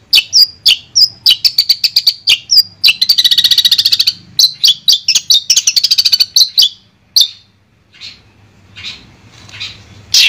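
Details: Sound therapy for a long-tailed shrike that has gone quiet: a lively mix of sharp chirps and fast rattling trills, then several seconds of faint scattered notes before one last loud chirp.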